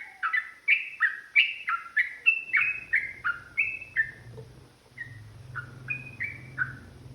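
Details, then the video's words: Yellow-vented bulbul giving a provoked, aggressive 'ropel panjang' long rolling song used to stir other birds into fighting: fast series of short, slurred, warbling whistled notes about three per second, loud at first, then softer notes over a low hum. "TRUCUKAN GACOR ROPEL PANJANG | Pancingan AMPUH Burung Trucukan agar bunyi jadikan EMOSI"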